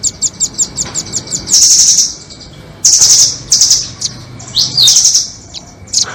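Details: Lure audio for trapping nuthatches, doraemon against red-billed: a quick run of about ten high clicks leads into loud buzzing trills of nearly a second, broken by brief pauses and a twisting note.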